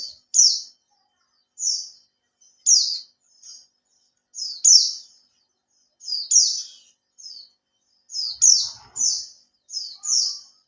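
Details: Oriental white-eye in captivity, a three-month-old kept bird, singing a lure song to set other birds singing: thin, high chirped phrases about once per second, some notes doubled or tripled, and a quiet background.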